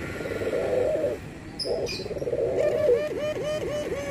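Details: Barbary dove, with white and brown birds compared, cooing: steady low hollow notes, then a run of quick wavering pulses near the end, with a few faint higher chirps in between.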